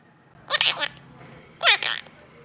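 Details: Pet three-year-old female monk parakeet that talks and sings with its owner indoors: two short, harsh, screechy voiced bursts about a second apart, each with rapid warbling pitch sweeps, in a quiet room.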